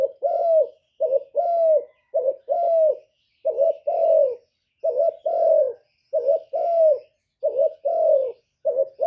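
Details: Spotted dove cooing: low, hollow two-part phrases, a short note then a longer, slightly falling coo, repeated roughly every second in a steady series. The background is quiet, with no other animals audible.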